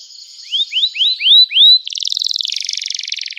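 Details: Canary song, lively and loud, meant to prompt other canaries to sing: five rising whistled slurs, then a fast buzzy rolling trill held to the end.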